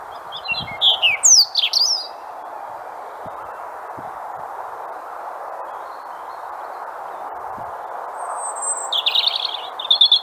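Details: A European robin (Erithacus rubecula), a common Irish garden bird, sings short, thin, high warbling phrases with pauses between them, over a steady low hum.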